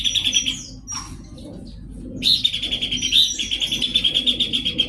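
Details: Song of a Horsfield's babbler: buzzy pulsed chatter, a pause with a short thin whistle, then a long fast run of rattling, slightly rising notes.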